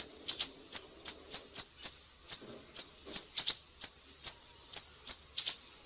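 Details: Tutor recording of a siri-siri with a regular series of bright, high, clipped chips spaced about a third of a second apart, a few doubled, and a short gap after two seconds.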